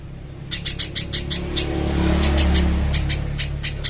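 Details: Little spiderhunter master song for training: a quick burst of scratchy high chips, then rumbling low background noise, through which further spaced chips continue at a slightly uneven pace.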